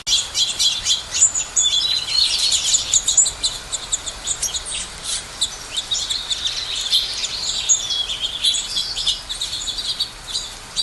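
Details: Busy chorus of many small birds giving rapid high chirps and thin whistles that overlap continuously, some notes rising and falling, over a faint background hiss.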